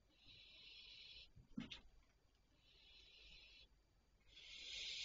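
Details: Barn owls at night at 01:26 on 3 July 2023, giving long rasping hisses lasting one to two seconds, broken by a brief sharp click, then another drawn-out hiss swelling louder at the end.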